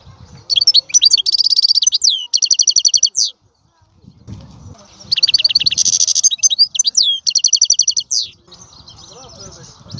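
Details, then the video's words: European goldfinch singing in two long bursts of twittering and buzzy trills, with faint low background rumbles between phrases and a softer murmur near the end. "لا يمكنك ان تسمع اقوى من غناء هذا الحسون"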